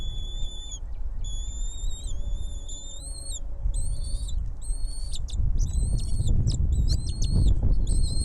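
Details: At a nest, with a mother bird bringing food to feed her babies: thin, high whistled notes repeated in quick series, about four a second, some with brief rising or falling ends, over constant loud low rumbling noise.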